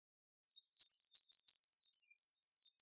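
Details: White wagtail twittering a quick run of about a dozen thin, high chirps, starting with level notes and then stepping up higher, with nothing else heard.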